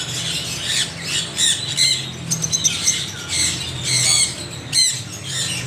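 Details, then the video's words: Parrots calling loudly with rough, buzzy squawks in uneven bursts, several birds overlapping, a few sharp cries standing out above a low steady hum. "Extreme noise of parrots"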